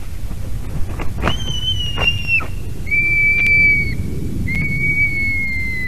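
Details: Female white-tailed eagle at a nest in Durbe, Latvia, 6:48 am on 12 March 2023, crying out when the male landed on her back during the morning incubation change: drawn-out high whistled cries, each slightly falling, over low rumbling background.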